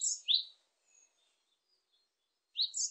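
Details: Great tit singing: a high two-note phrase, a sharp note then a lower slurred one, heard once, a pause, then begun again. No other sounds.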